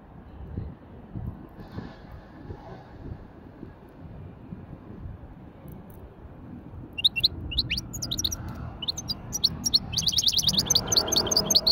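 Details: Hybrid European goldfinch at a bird market in a light warm-up; after seven quiet seconds of background murmur, high rapid twittering begins, becoming a dense buzzy run near the end.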